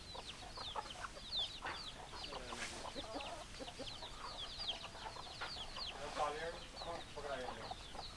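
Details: Several hens clucking together, with many short rising and falling chirps and clucks overlapping throughout, a busy flock chorus with no clear crow.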